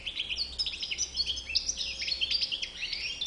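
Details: Dense, high-pitched twittering from a European goldfinch, with sharp chips and fluttering trills packed closely over a few seconds against a quiet hum.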